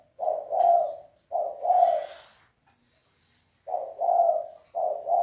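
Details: Red collared dove cooing in the 'thúc bổi' and 'gáy gù' manner: paired low coos, a short note then a longer swelling one. The pairs are repeated with a silent gap of over a second in the middle.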